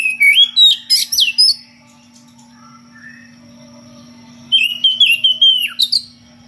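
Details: Oriental magpie-robin (kacer), ngeplong style, calling a rival: a burst of sweet whistled and upslurred notes, a soft pause with faint low whistles, then a second rapid phrase ending in a downward slur.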